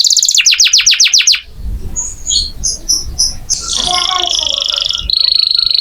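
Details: Canary singing as training audio for magpie-robins: a burst of quick repeated slurred notes, then softer scattered chirps over background noise, ending in a loud buzzy trill and a steady high rattle.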